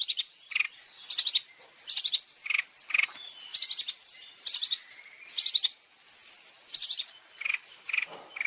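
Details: Long-tailed shrike song used as a tutor recording for caged birds: bursts of sharp, buzzy high notes alternating with shorter lower chirps, repeated roughly every second in a steady phrase pattern, with clean quiet gaps.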